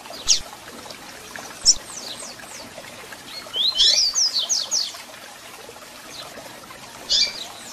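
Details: Double-collared seedeater, captive, singing to fire up another bird: two sharp high chips, then a burst of quick descending and rising whistled slurs, ending with a further bright chip note.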